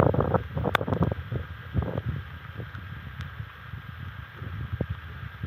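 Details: Outdoors at a bald eagle nest, gusty wind rumbles and leaves rustle, with scattered sharp knocks and clicks but no clear calls.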